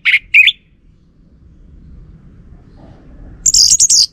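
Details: Orange-headed thrush lure song for making males answer: two quick slurred whistled notes, a quiet gap, then a brief, very high, warbling trill at the end.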